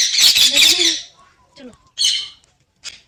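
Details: A talking parrot opens with a loud, harsh squawk, then gives a few soft, lower wavering notes, another sharp squawk, and a brief final rasp.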